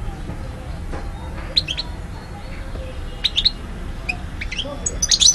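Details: European goldfinch recorded in Algiers, Algeria, in 2012: scattered short, high chirps and brief twittering notes with irregular gaps, becoming busier toward the end, over a steady low background hum.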